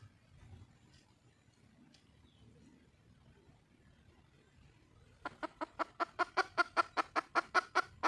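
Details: Red junglefowl hen calling for a male: after five seconds of quiet, a fast run of sharp, even clucks begins, about two and a half per second, growing louder and steadier to the end.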